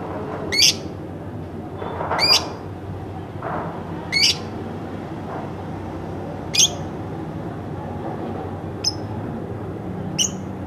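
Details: Household pet lovebird repeats harsh, shrill, rasping squawks every two seconds or so, then shorter, thinner chirps. Faint low thuds and steady indoor hum sit beneath.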